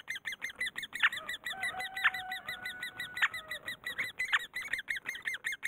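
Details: Great spotted woodpecker raising young: fast, even repetition of small hooked squeaks with louder sharp accents roughly every second, and a faint steady tone running beneath for a while.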